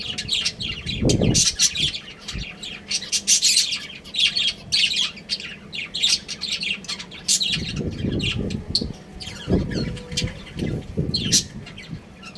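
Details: Budgerigar breeding pair giving continuous rapid chatter of scratchy, high chirps and squeaks, with intermittent low thumping and clattering noises in the background.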